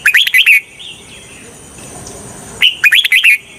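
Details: Red-whiskered bulbul used as bait to lure wild bulbuls: a quick run of chirpy warbled notes, a pause of about two seconds with soft twitters, then another bouncing phrase, under a steady high hiss.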